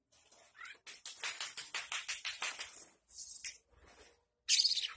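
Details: Kept oriental magpie-robin (kacer) singing an imitation-filled song including Javan munia phrases; a rapid run of sharp, high buzzy notes, then a pause and a loud burst of scratchy chatter.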